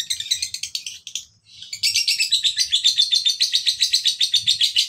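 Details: Male fighter lovebird lure: fast, harsh chatter that stops briefly after a second, then resumes louder as a quick, even run of shrill, buzzy chirps, with faint low thumps in the background.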